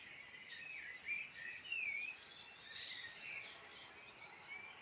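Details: Birds singing in the Irish Midlands: warbling phrases and clear whistled notes, one bright slurred whistle near the middle, several birds overlapping over a soft background hiss.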